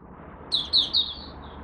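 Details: Oriental white-eye from Malaysia in its first morning warm-up, 1 August 2023. A brief phrase of three high, bright, slurred notes, the last trailing off thinly, over low steady background noise.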